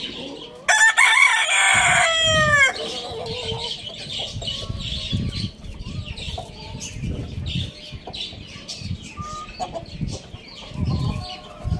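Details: Morning rooster in a farm village gives a loud, harmonic crow lasting about two seconds with a falling tail, followed by scattered clucks and chirps from other birds over low background rumble.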